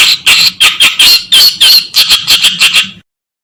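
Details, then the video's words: Reed warbler song offered as a master tape for shama, leafbird and other songbirds: loud, continuous grating chatter of repeated harsh, squeaky notes at a brisk, uneven pace, stopping abruptly. "Masteran Burung Kerakbasi"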